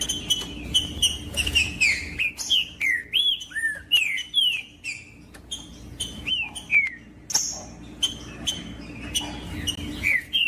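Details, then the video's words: Green-winged saltator singing in recordings used by breeders to rouse captive birds for tournaments: a long run of loud, ringing whistles, each bending sharply down or up, delivered rapidly with brief gaps and some overlapping phrases. "MELHOR VÍDEO PARA ESQUENTAR TRINCA FERRO COM TRINCA FERRO CANTANDO"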